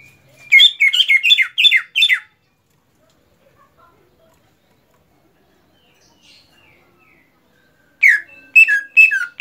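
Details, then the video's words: Greater green leafbird (cucak ijo) kept as a songbird, after moulting: a two-second burst of rapid, sharp, downward-sweeping notes repeated about six times, a long silent gap, then another quick run of bright notes. "agar cucak ijo rajin berkicau setelah beres mabung"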